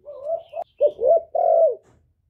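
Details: Male spotted dove used as a decoy to lure wild doves, recorded without background noise: a short run of low hoarse coos, a brief note, then two rounded coos and a longer drawn-out one, ending in faint low rumbling.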